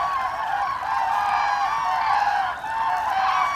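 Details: Migrating common cranes, autumn 2021, calling as a flock: an unbroken wash of rolling trumpeting voices, with a brief dip in loudness before it picks up again.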